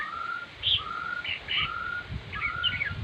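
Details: Red-whiskered bulbul singing: short bright warbled notes high up, mixed with a smooth rising whistle repeated about every half second, over low rumbling background noise.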